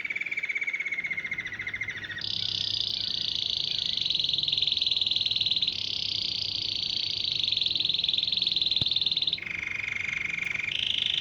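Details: Canary singing to attract dozens of canaries, goldfinches and other wild birds: a low rolling trill, then a long, loud, high, buzzy sustained trill, ending with alternating low and high rolling tours.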